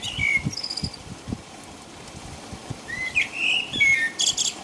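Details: In England, a common blackbird sings through the night rain at about five o'clock; a brief fluted note opens, a pause follows, then a warbling phrase closes in a high, squeaky twitter, with rain patter underneath.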